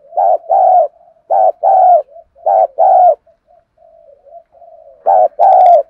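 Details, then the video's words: Spotted dove cooing as a decoy to goad wild males into calling, 'đồng pha thổ' voice: four loud short-long pairs of deep hollow coos, separated by soft low murmurs. "cu gáy mồi thúc gù căng lửa giọng hạp bổi"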